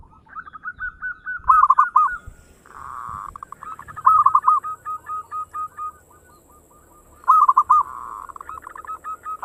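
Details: Local zebra dove in full song, fast 'ngayer engkel' style, played to prompt other birds to sing: rapid bubbling coo phrases about every three seconds over a steady low hum and a brief rushing noise.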